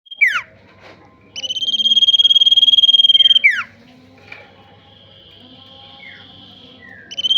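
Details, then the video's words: Male tailorbird, described as a fighter, singing: a sharp downslurred note, then a loud buzzy pulsed trill held about two seconds, another downslur, softer faint notes, and a new trill starting at the end. "SIRTU GACOR FIGHTER"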